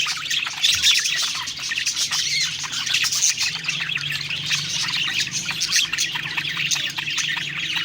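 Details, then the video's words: Several budgerigars singing happily while feeding, giving a long unbroken chorus of squawky chatter and high chirps, with a faint low drone in the background. "Happy Singing & Eating Parakeet Budgies Birds"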